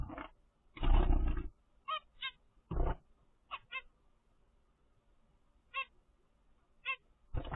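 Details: A 10-day-old captive-bred zebra finch chick gives short, harmonic peeping calls, repeated in brief pairs amid a few loud thumps.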